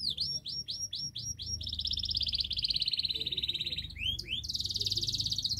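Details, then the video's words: Persistent 'gacor' canary song intended to get a silent canary singing: a series of rising slurred whistles, then a long rapid buzzing trill, brief twitter, and another fast trill over a low background hum. "Masteran kenari GACOR NGOTOT untuk Pancingan Kenari Tidak Mau Bunyi Agar Bunyi"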